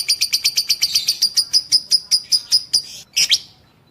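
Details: A lovebird of the fighter type gives a string of piercing, evenly spaced high chips, about two and a half a second, ending in a short burst of harsh squeaks. It is played as a masteran to train young lovebirds.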